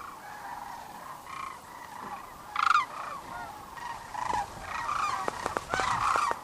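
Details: A large flock of sandhill cranes coming in to roost on the Platte River near Kearney, Nebraska, on the evening of 27 March 2009: a massed rolling chorus with several loud, close rattling calls and a few short sharp clicks.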